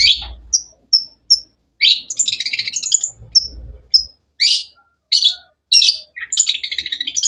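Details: Long-tailed shrike (cendet) with energetic, varied vocalizations: several short high squeaks followed by loud harsh chattering bursts and rapid scratchy runs, repeated with short gaps, with faint low thuds.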